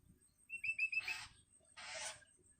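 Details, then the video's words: Long-tailed shrike nestling, hungry and calling its parent: four short piping whistles in quick succession, followed by two coarse, buzzing rasps. "Suara anakan cendet"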